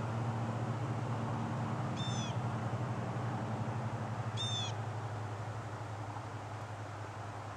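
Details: Hawk at a nest near Marshall, North Carolina: two brief, high, downslurred calls about two and a half seconds apart, over a constant low engine-like hum.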